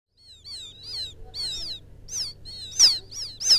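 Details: Field quail chick calling for its mother, used as a lure sound: high, thin whistled peeps, each arching then sweeping down, repeated about every half second, louder toward the end over a low hum.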